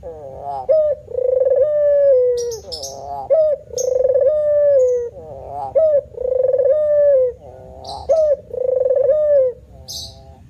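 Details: Male spotted dove giving repeated manggung coos, roughly one phrase every two seconds, each a quick upward note then a mellow held coo that sags at the end, with faint high ticks behind.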